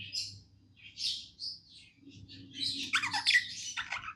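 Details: Budgerigars singing happily as pets, a few separate squawky chirps opening into a busy burst of warbled, scratchy chatter, with a low electrical hum behind.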